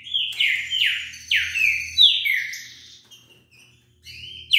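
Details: Fast song from a wild green-winged saltator: a tight run of loud, descending whistled notes, then a brief quiet gap before a new phrase begins.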